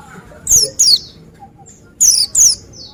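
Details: Oriental white-eye (pleci) voice: two bursts of paired, high, thin descending whistled sweeps, the first pair near the half-second mark and the second after a short pause, over a quiet background.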